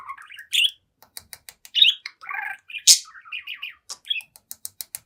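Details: Budgie of seven months chatting to a mirror indoors: short warbled phrases and buzzy notes, one loud harsh squeak, and bursts of fast dry clicking ticks.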